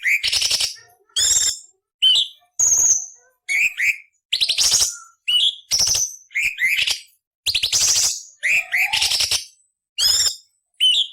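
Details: Cucak cungkok master song for teaching other songbirds, full of coarse chatter: rapid sequence of grating rasps and quick whistled upslurs, bouts coming about every second with short breaks.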